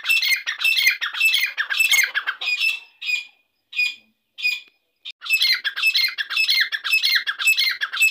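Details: Harsh, rasping squawks from a grey francolin known as Irani dakni teetar, repeated in quick rhythmic series, broken by a short gap of isolated notes before the grating run resumes.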